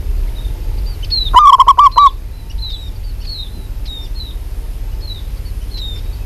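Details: A local zebra dove in lively voice delivers a brief, fast series of about five throaty coo notes, surrounded by repeated thin, high chirps from other birds and low background noise.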